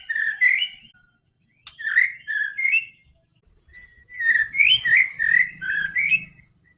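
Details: White-rumped shama song used to prompt a silent bird into singing: three bursts of rich, slurred whistled phrases with brief gaps between them, the last burst longest and most varied.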